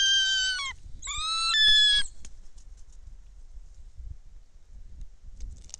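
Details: Bald eagle on a Kistachie National Forest nest cam, 10.12.2023, as a foreign female arrives with a fish and another eagle flies overhead; two long, strained, shrill whistles with stacked overtones, followed by quiet rustling and faint clicks.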